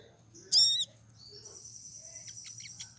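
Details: Female pied triller in breeding condition calling to attract a male; one loud, short, harsh ringing note, then a thin, high buzzy trill with quick dripping notes, with faint low hum underneath.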